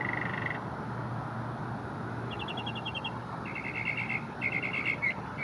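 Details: Northern Mockingbird perched in a small cedar elm in Memorial Park, Houston, Texas, singing after chasing off about ten American crows, mimicking other birds and a frog: short bursts of rapid repeated notes at varying pitches over steady hum.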